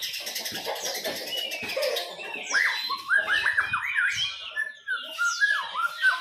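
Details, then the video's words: Young white-rumped shama singing: a buzzy, chattering start gives way to loud, clear whistled notes that slide downward, delivered in quick repeated phrases. "Burung Muray Batu Baby"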